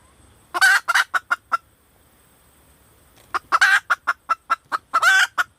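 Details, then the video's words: Female red junglefowl calling for a mate: two bursts of loud, harsh, rapid clucks, about eight notes each, separated by roughly two seconds of quiet, with the later burst denser and rougher. "เสียไก่ป่าตัวเมีย,Suab poj qaib tsauj cuab tuaj zoo tiag"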